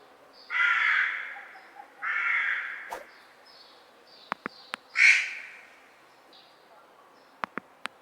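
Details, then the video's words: Crow giving three harsh, drawn-out caws, two close together then a third after a pause, with a few sharp clicks in between and near silence behind. "CROW SOUND - CROW SOUND EFFECTS"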